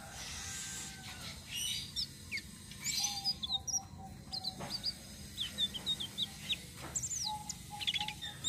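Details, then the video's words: High thin song of a flowerpecker (tledekan sitrun selendang biru), rolling style used as bait to draw other birds: sparse squeaky tweets building to a denser run of rapid chips, over faint background hiss. "BURUNG TLEDEKAN SITRUN SELENDANG BIRU NGEROLL||BISA BUAT PANCINGAN"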